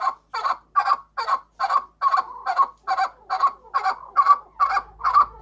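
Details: Large farm chukar in Quetta, Balochistan: a steady series of loud, clucking chuk notes, each rough and mid-pitched, repeated a little more than twice per second for several seconds against a quiet background.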